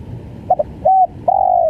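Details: Spotted dove (tekukur) in a brief stammering call: two quick short notes, a level coo, then the start of a long drawn coo cut off at the end.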